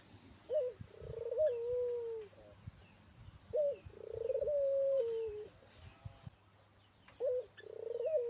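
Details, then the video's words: Local turtle dove singing vigorously: long, low, hollow coos, each opening with a short rising note and then holding a steady tone for about a second, repeated every three seconds or so. Faint chirps and light clicks sound in the background. "burung puter lokal gacor dor"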